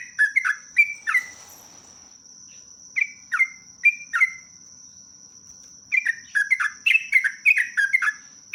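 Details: 'Ropelan panjang' song of a sooty-headed bulbul (trucuk). Bursts of quick, downslurred chirps alternate with short pauses, then a dense flurry closes the passage. A soft hiss sounds early on, over a faint steady high tone.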